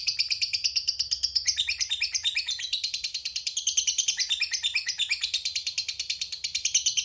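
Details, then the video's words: Fighter lovebird giving its long 'ngekek panjang' chatter, used as a lure to provoke rivals: an unbroken, shrill, high-pitched rattle of rapid pulses, about six per second, running for seven seconds with slight shifts in pitch. "suara Burung Lovebird Fighter Ngekek Panjang"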